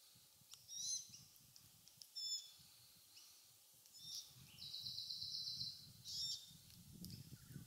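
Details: Glossy black cockatoo family with a fledgling feeding in casuarina trees near Bournda Nature Reserve, evening of 19 November 2022; brief high squeaks are followed by one drawn-out wheezy note, over low rumbling background noise.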